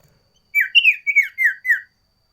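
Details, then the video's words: Loud, lively sooty-headed bulbul song in its variation style, six clear whistles, the second rising then each sliding downward, evenly spaced over just over a second. "Suara Burung Sirtu Variasi / Cocok Untuk Masteran Cipow / Juga Buat Pikat Sirdum Liar"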